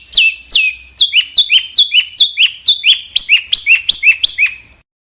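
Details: Small bird song from a master recording for cage-bird training: a clear series of sharp, downward-flicking whistled notes in quick succession, about thirteen in all, fading at the end.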